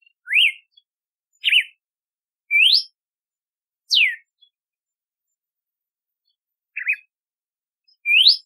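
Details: Red-cowled cardinal whistling a song of bright slurred notes, rising, wavering and falling, roughly one per second, then a gap of over two seconds before two more phrases.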